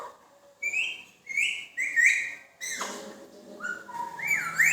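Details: Whistling Indian ringneck parakeet, a talking pet bird. A run of short, upward-sliding whistled notes, a brief harsh burst, then more gliding whistles that dip and rise again.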